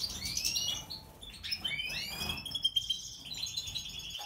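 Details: European goldfinch, Major type, in an aviary at the nest: varied twittering with sliding whistled notes, buzzy trills and rising and falling chirps, moderately loud against a quiet background.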